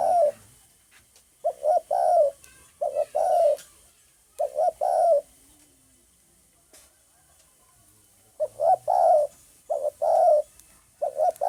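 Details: Spotted dove on 9 May 2020 delivering bursts of two or three low hooting coos, the last note longest and falling, in several series separated by a few seconds of quiet.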